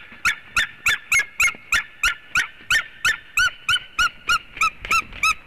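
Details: A white-tailed eagle on a Latvian nest webcam gives a long, regular chain of about eighteen sharp yelping notes, roughly three per second, metallic and rich in overtones.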